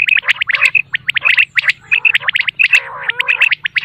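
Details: Common quail morning call, used for hunting in Pakistan: sharp, liquid, high-pitched clipped notes in quick, dense bursts, with a gurgling quality and no clear steady rhythm.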